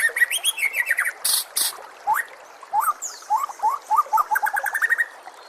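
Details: White-rumped shama song used to train caged birds: opens with falling whistled slurs and harsh bursts, then a string of short upslurred whistles gathering into a quick repeated series.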